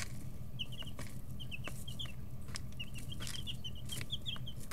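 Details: Inside a brooder, chicks between 11 and 13 days old peep in quick strings of short, evenly pitched high notes, with occasional crisp taps from pecking and a droning low hum filling the background.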